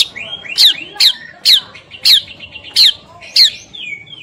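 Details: White-rumped shama morning song meant to set other shamas singing: sharp upward-sweeping whistled notes repeated about every half second, with softer lower warbles between them.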